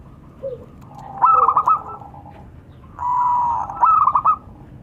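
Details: Local zebra doves calling back and forth, male and female: two phrases, each a rapid, pulsing, stuttered coo, the second preceded by a smooth sustained note.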